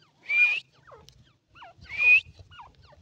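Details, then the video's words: Iranian partridge voice: two loud rising whistled notes about one and a half seconds apart, each followed by softer down-slurred chirps, over a faint low hum. "irani teetar ki awaz❤❤ irani teetar ki voice"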